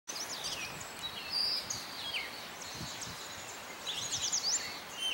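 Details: A Gray Catbird singing at Morgans Point: a rambling run of varied squeaky, scratchy and whistled notes, each brief and changing in pitch, over a steady hiss of background noise.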